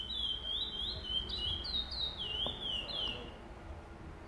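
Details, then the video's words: Chestnut-bellied seed finch (curió) singing in the pardo style at the first stage of a singing tournament on 8 November 2020: clear whistled phrases, each note slurring up then down, given in a steady run over a low background hum. "Torneio de Curió Pardo"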